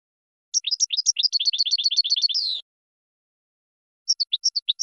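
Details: A goldfinch gives a quick run of high twittering notes capped by a buzzy, falling note, then a few separate chirps after a pause. Recorded for birds to learn from, against a silent background.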